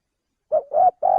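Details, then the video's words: Male spotted dove from Indonesia, recorded for use as a trapping lure: three low, hollow cooing notes in quick succession, the first short, the next two longer and steadier, with clean silence before them. "suara pencingan burung tekukur"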